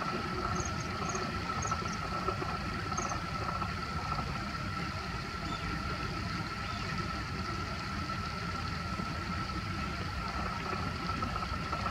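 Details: Steady engine-like rumble with a constant humming tone throughout, and no clear animal calls.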